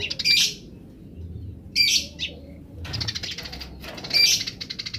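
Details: Wild Eurasian tree sparrows giving grece calls while other wild sparrows answer: four separate bursts of harsh, noisy chirping about a second apart, with a faint low hum beneath.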